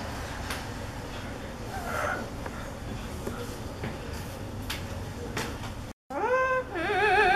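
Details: Coco, a parrot that likes to imitate sounds, gives a few clear, cat-like mewing notes that swoop upward and then hold steady, after a stretch of soft room hiss and faint clicks.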